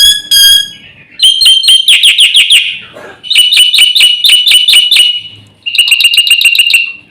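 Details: Black-winged myna master song full of fills, meant to stir other birds: piping whistles open, followed by three loud bursts of rapid, metallic, evenly repeated notes separated by brief pauses.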